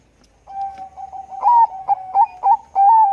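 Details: Zebra dove of the Bangkok type, calling busily with a full, thick voice: a low steady purring coo broken by loud, accented, slightly rising notes roughly every third of a second, ending on a strong drawn-out coo.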